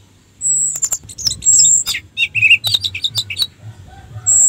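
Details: Lure song of an orange-headed thrush meant to raise arousal and emotion in other thrushes: a long, thin high whistle, then a dense run of quick varied chirps and wavering mid-pitched warbles, ending in another high whistle.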